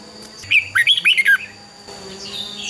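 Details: A brief, lively burst of five or six fluty, slurred notes from a red-whiskered bulbul in fighting song (hót đấu), meant to spur other birds to sing. Soft background hum follows.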